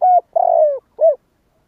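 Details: Close spotted dove call in kích bổi style. A steady coo is followed by a long, slightly pulsed note that glides down in pitch, then a short rounded coo. The background is quiet.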